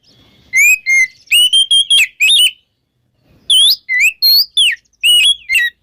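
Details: Oriental magpie-robin singing in the ngeplong style in the morning, used to prompt magpie-robins that have stopped singing: loud, clear whistled notes, some rising and some falling, in two bursts of quick phrases separated by a second-long pause.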